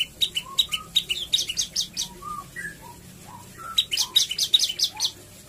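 An olive-backed tailorbird sings lively bursts of sharp, high chips mixed with lower slurred whistles, several notes a second in two quick runs.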